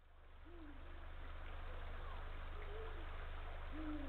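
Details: Male Eurasian eagle-owl calling to his mate from the nest branch at dawn, 17 March 2023, 05:32, northern coast of Estonia. There are three faint, low, slightly arched hoots about 1.5 seconds apart over steady low hum and background noise.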